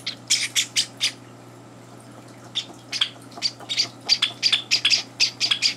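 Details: Java sparrow chicks, three days after arriving in their new home, beg at morning feeding with harsh, raspy squawks, about two a second, in bursts separated by brief pauses, as two older Java sparrows barge in; a faint steady hum sits underneath.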